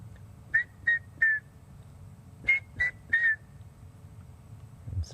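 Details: Red-chested Cuckoo at sunset on October 6, in a clearing under an old Torchwood tree near two buffalo bulls, gives two loud, clear, slightly falling three-note whistled phrases, piet-my-vrou, over faint background hiss.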